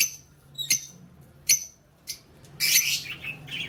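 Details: Lovebirds on 20 February 2024 chatter in sharp, high squeaky chirps, a few single notes then a denser burst of shrill twittering near the end.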